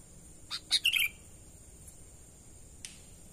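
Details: Natural sooty-headed bulbul call meant to draw in wild birds: a single rapid phrase of chips ending in a bubbly falling whistle, followed by a faint distant chip, with continuous hiss behind.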